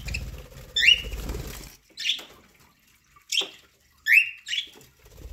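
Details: Pet budgerigars feeding on corn utter a few separate chirps, each a brief rising warble with bright overtones, spaced by silent gaps of about a second, with faint low rustling early on.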